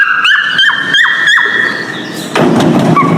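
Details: Mating call of a male cockatiel in breeding: four short clear whistles, each ending in a little downward hook, spaced about a third of a second apart, followed by a burst of rustling noise and one faint final note.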